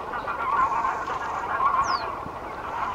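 Greylag geese give harsh, nasal honks that overlap into a steady, dense chorus. A thin, high whistle slides downward briefly in the background.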